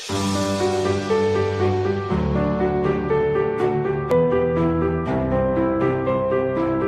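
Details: Gentle piano music plays throughout, sustained chords changing roughly every second or two, with no animal sound audible.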